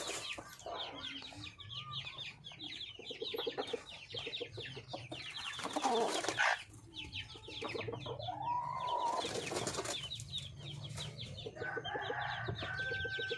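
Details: Wild red junglefowl hen calling for a male mate: runs of rapid, rhythmic low clucks and a few short rising notes, set against a dense, constant chorus of high, thin chirping from many other birds.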